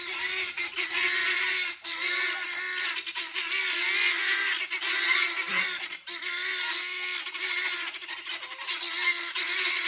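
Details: Helmeted guineafowl calling from a tree in the morning, giving harsh, grating bursts that run on almost without pause.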